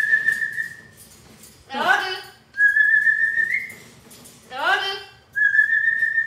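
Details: Pet parrot indoors, said to cry after attacking another parrot so it will not be scolded; long steady whistles alternate with two harsh, harmonic, falling cry-like squawks.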